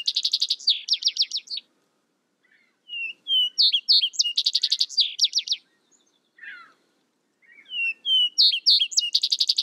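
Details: A vesper sparrow (Pooecetes gramineus) sings fast, buzzy trilled bursts and sweet, high slurred notes, repeated in three phrases with short pauses between.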